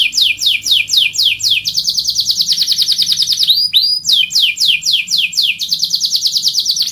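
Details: Canary singing a rolling song of quick downslurred notes in even series, melting into a sustained high buzzing roll with a brief pause, then rapid sweeps again.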